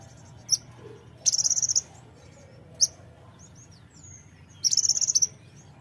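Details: Brown-throated sunbird song played to provoke birds into singing: sharp, very high chip notes alternating with rapid buzzy trills of about eight notes, with a few faint thin whistles in between.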